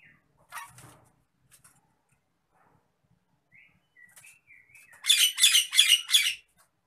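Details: An agitated Nias hill myna gives a couple of brief rough notes and short clear whistles, then a run of five loud, harsh, rasping calls in quick succession.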